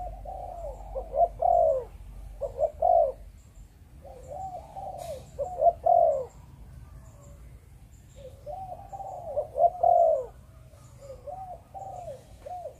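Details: Spotted dove, Malaysian breeding line, delivering 'Chụp Chụp Ô' coos: two bursts of low hoarse phrases, clipped notes then longer falling coos, separated by a quiet gap with softer cooing and faint high ticks.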